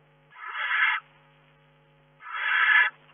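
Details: Barn owl calling in its nest box in May, where a second egg has hatched and another owl has been visiting: two harsh, noisy hisses about three-quarters of a second each, separated by a pause of over a second. A low steady hum sounds between them.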